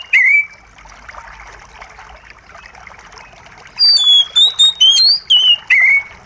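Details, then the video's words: A single falling whistle, then a quiet stretch of running water, then a fast phrase of ringing whistled notes from an Oriental magpie-robin, on a therapy track for a stressed bird that has stopped singing. "Terapi Kacer Macet Bunyi + gemericik Air!"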